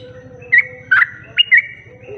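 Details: Sooty-headed bulbul song played as a lure to draw in other bulbuls: four short, bright whistled notes in two pairs, each ending in a slurred tail, over a steady low hum and a faint lower tone.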